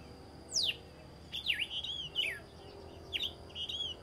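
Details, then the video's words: Red-cowled cardinal singing at dawn: short clear whistled phrases, some sharply descending and others slurred and level, given in bursts with pauses, over a steady faint high-pitched hum and low background rumble. "O canto do galo-de-campina ao amanhecer"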